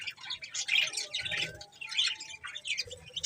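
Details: Budgies chirping: bright, warbling high notes in short bursts, with quick squeaky twitters rising and falling, a brief lull near the middle.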